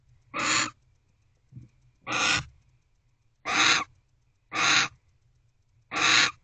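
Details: Barn owl in a nest box at night on 25 December 2023, waiting for its mate's return. It gives five rough, hissing screeches at irregular intervals of about one to one and a half seconds, with one faint short note between.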